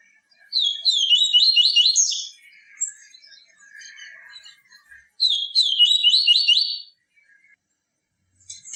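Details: Yellow-bellied seedeater singing, played to stimulate captive birds: two fast, warbling strophes of repeated up-and-down notes, each near two seconds long, separated by quieter scattered chirps.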